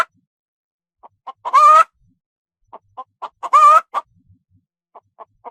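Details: Domestic chicken on a farm: short low clucks lead into two loud, drawn-out squawks with a wavering tone, then more scattered single clucks in quiet surroundings.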